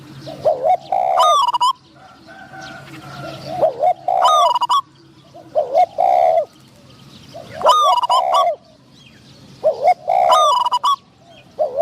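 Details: Spotted doves at a decoy trap, a caged caller luring wild birds, among them a medium-voiced wild dove. Rounded low coos repeat irregularly, roughly twice a minute-long cycle per phrase, each group topped by a bright, high whistled burst.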